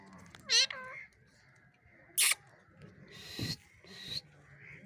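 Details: Angry parrot giving a loud, bent, harmonic squawk, then a sharp, high screech and rougher raspy bursts.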